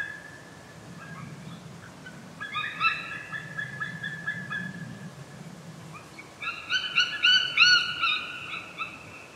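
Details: call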